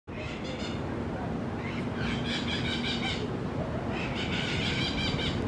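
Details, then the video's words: Crimson-fronted Parakeets (Psittacara finschi) give harsh, screechy calls in three loud bursts of rapid chatter, over a steady low rumble of wind or traffic. "Crimson-fronted Parakeet (Psittacara finschi)"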